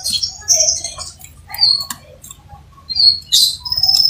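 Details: A crimson sunbird sings with energy: thin twittering high phrases, short whistled notes and soft chips in uneven bursts, ending in a sustained high note, against quiet low hum.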